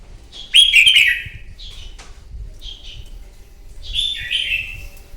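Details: Morning fighting song of a wild-caught red-whiskered bulbul, used for training birds: a loud rich warbled phrase, then quieter short whistled notes and a second slurred, descending phrase, over a soft low rumble.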